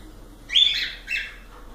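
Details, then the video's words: Pet cockatiels singing: two short bright chirps, the first with a clear whistled rising note and the second a harsher downslurred chirp, separated by a brief quiet gap. "Calopsitas Live de Agradecimento aos 500 Novos Inscritos Canto dos pássaros"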